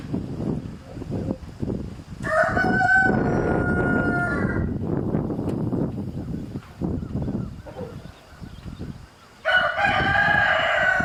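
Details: Domestic chicken: a rooster harassing a mother hen and her chicks, the hen showing the chicks to drink; two long harmonic crows, one mid-clip and one at the end, over busy low scratching and clucking sounds.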